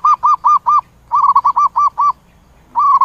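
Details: Zebra dove calling its flock with bursts of short, evenly pitched staccato coos, a group of four, then a longer run of about seven, then a held coo starting again after a pause.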